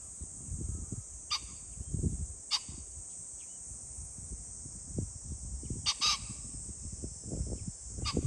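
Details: A pheasant on 21 July 2024 gives harsh, abrupt, grating calls a few seconds apart, including a doubled crow near the end, over a steady high insect hiss and low wind rumble.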